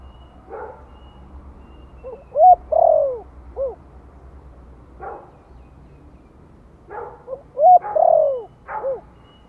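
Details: Spotted dove from Vietnam singing a gentle lure call in Giọng Thổ style for newly kept birds: two three-part coo phrases about five seconds apart, each with a long falling middle coo, among brief rough rustling bursts.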